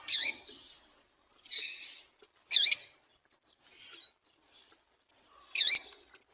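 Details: Female Double-collared Seedeater call, used to warm up and stimulate a silent male to sing: high, thin chirps about every second, alternating sharper and softer notes, against a quiet background.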